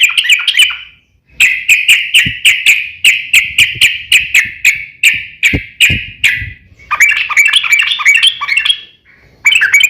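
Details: Long rapid fighting song of a yellow-vented bulbul, used as a lure for other bulbuls: opening chatter, a pause, a steady string of sharp repeated chirps, then tumbling warbled notes before a short silence.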